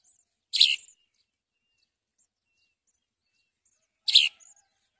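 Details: House sparrow helping feed young with caterpillars: two loud, harsh chirps spaced about three and a half seconds apart, with silence between them.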